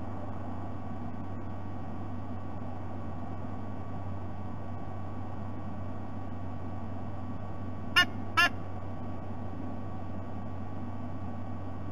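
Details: A steady low hum and background hiss, broken only by two sharp knocks in quick succession near the end, with no animal voice.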